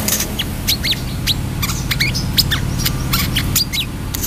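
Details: Brown-throated sunbird singing energetically: a rapid series of thin, high, sharp chirps and downward-swooping notes, irregularly spaced, over a steady low hum and rumble in the background.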